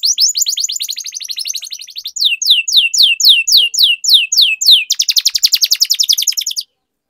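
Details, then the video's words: Canary song used as a lure so other canaries start singing: a rapid trill, a run of slower sweeping whistles, then a very fast dense trill before the sound stops. "Kenari Gacor Ngedur Pancingan Paling Ampuh Kenari Macet Jadi Rajin Berkicau"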